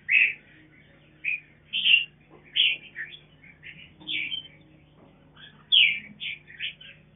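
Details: Captive mutant mountain red-whiskered bulbul tending its young on a farm; lively series of bright chirped and whistled notes, some in quick pairs and triplets, over a soft low background hum.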